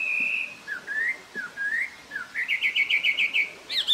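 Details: A Taiwan hwamei in Jianshi Township, Hsinchu, Taiwan, April 2024, whistles loud, rich phrases: a long steady note, several slurred rising notes, then a quick run of about eight repeated notes ending higher.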